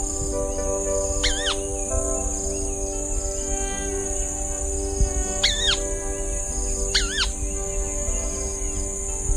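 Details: White-browed Crake calling three times, each call a loud, wavering squeal that dips and rises with strong harmonics, coming about two to four seconds apart over steady background music and a constant high insect hiss.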